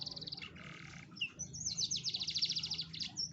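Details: Canary song for luring a lazy canary into singing: a high trill, a lower buzzy roll, then a loud run of fast repeated high notes at about three per second.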